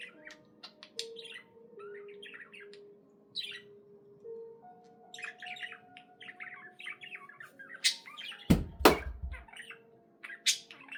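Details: Domestic budgerigar giving scattered short chirps and twittered phrases with pauses between, over steady low tones, and a brief thump near the end.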